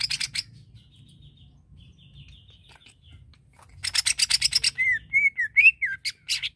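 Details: Greater green leafbird singing to stir another bird's aggression: harsh buzzy bursts, a soft thin whistled series, then loud rasping notes with looping slurred whistles.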